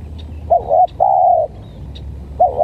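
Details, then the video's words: A spotted dove, described as having a strange voice and pitted against a decoy bird, gives short steady mid-pitched coos, one a longer level note, over low background hum. "Baru Kali Ini Dapat Tekukur Aneh"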